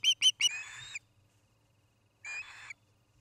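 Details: Osprey at a Charlo, Montana nest, captured by a nest camera on an August 2018 evening: three sharp whistled chirps, then a drawn-out harsh, buzzy squeal, a pause, and another rasping squeal.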